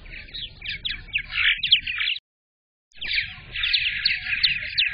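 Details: Purple martin colony chatter at a nesting box on May 15th, 2022, the day of the first egg of the season. A continuous run of crackling, twittering notes breaks off in a brief silence, then starts again just as dense.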